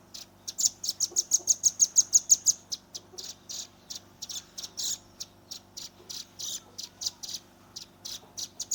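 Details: Juvenile velvet-fronted nuthatch giving tight rapid-fire 'nembak' song, phone-recorded: a quick run of high piercing notes near the start, followed by a long series of harsh, high chirps repeated about three per second with little background.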